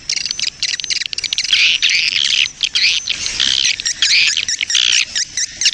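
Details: Lure sound for attracting swiftlets, a colony recording: many birds twitter together in a loud, unbroken mass of high chattering chirps, clicking bursts and brief sharp whistles, with no pauses.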